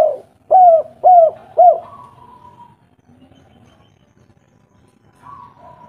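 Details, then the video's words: Lively local spotted dove with a big, melodious voice, played as a lure to draw replies: three rapid arched coos in quick succession, then near silence with a faint trailing note. "tekukur derkuku lokal gacor suara merdu nada besar ampuh untuk masteran langsung nyaut"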